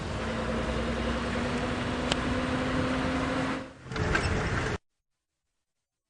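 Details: A constant mechanical hum with a brief click, a short dip, then the hum again before sudden silence; no animal sound.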